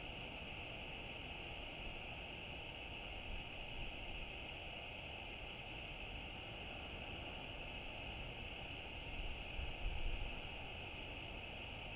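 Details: Only a steady, rushing broadband noise like strong wind or machinery is heard, with no clear animal calls.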